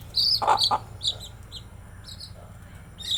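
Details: Baby chicks kept as new pets, with a burst of high sliding peeps and two short lower clucks at the start, then scattered softer peeps fading into quiet.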